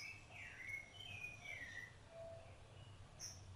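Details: Rufous-bellied thrush singing while feeding its chicks: a few soft fluting whistled phrases, falling and slurred, against a quiet low background hum.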